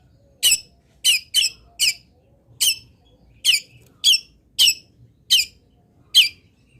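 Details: Master recording of a local cendet, the long-tailed shrike, from Pati, Indonesia. About ten short, clipped, harsh notes fall in an uneven rhythm, some in quick pairs, with clean quiet between them.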